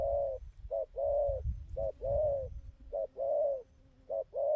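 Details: Wild-caught spotted dove, newly settled, cooing well: a series of low, soft coos, short notes followed by longer drawn-out ones, repeated roughly once a second, with faint low rumbling underneath.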